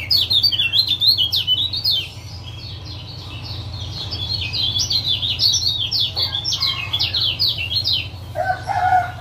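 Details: A male lemon-bellied white-eye from Lombok gives ciak ciak calls to coax a quiet caged male into song: energetic, high zigzag chirping, a short lull, more chatter, then a lower whistled note at the end.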